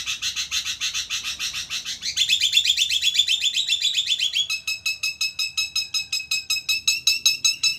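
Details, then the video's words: Javan myna giving a call said to sound like laughing: a long run of rapid, evenly repeated harsh high notes, about two to three per second, shifting pitch twice into faster, cleaner chattering. "burung jalak kebo gacor bisa ketawa"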